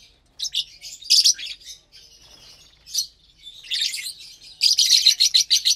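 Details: Lovebirds at mealtime on the morning of 30 April 2022, eating greens and grains: rapid high-pitched chirps and buzzy squeaks, ending in a fast, evenly pulsed series of shrill notes.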